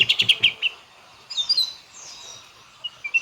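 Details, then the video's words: White-rumped shama singing a full varied song: a rapid burst of clipped chattering notes, a pause, then thin high warbled phrases and a few sharp chips. "MURAI BATU FULL BONGKAR ISIAN"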